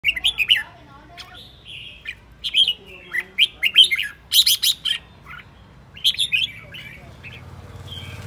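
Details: Aggressive decoy red-whiskered bulbul spinning about as it sings: loud bursts of bright, warbled whistled phrases, clustered notes with short pauses between, fading to a soft hiss at the end.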